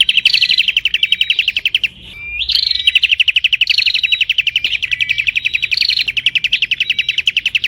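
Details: Nonstop prinia chattering: a quick, even stream of high clipped notes, a short pause near two seconds, then more dense trilling with repeated rising whistle accents.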